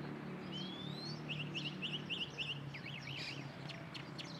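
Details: A lark sings atop a pine tree. A thin rising whistle leads into five evenly spaced chirping trills, then harsher descending notes and sharp clicks, set against a constant low hum of background noise.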